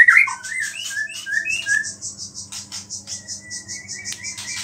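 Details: White-rumped shama song with small-bird phrases, aimed at provoking other shamas: a few short whistled notes at the start, then steady pulsing high buzzing and a faint drawn-out whistle over a low hum.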